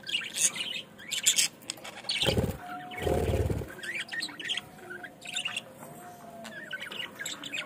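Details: Budgerigars in Bangladesh chirping in quick bright bursts, roughly one per second, mixed with fluttering wing noise and two loud low thumps in the middle.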